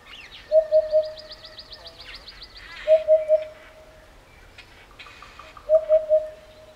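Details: A Eurasian hoopoe calling in the African bush in Botswana gives soft, low, hollow 'oop-oop-oop' triplets about every three seconds. Higher chirps and trills from other birds sound in the background.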